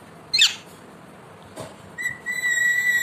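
A pet ringneck parakeet gives a brief harsh screech, then a long, steady, clear whistle held for about a second.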